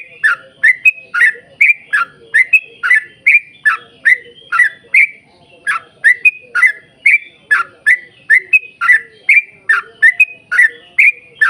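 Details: A yellow-vented bulbul delivers extended 'ropel panjang' rapid singing, used as a lure for its own kind: bright bubbly notes rattled off over twenty times with barely a pause, clean background.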